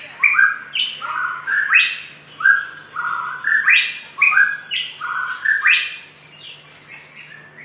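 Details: Little spiderhunter in a lure recording used to stimulate other birds: loud repeated slurred notes, each rising or falling, with bright higher phrases overlapping, several per second, over a steady low hum.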